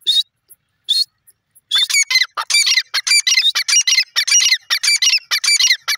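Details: Grey francolin giving two spaced high notes, then breaking into a fast, continuous run of harsh, squeaky repeated notes that carries to the end.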